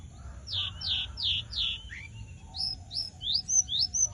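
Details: Javan bush lark singing vigorously: a run of high, downward-slurred whistled notes, about four in the first second, then brighter rising-falling notes quickening toward the end, over a faint low hum.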